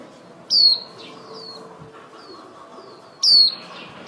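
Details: Female white-eye used as a lure to trap birds, calling the flock. Two loud, high, thin descending whistles come about three seconds apart, with several faint softer notes between them.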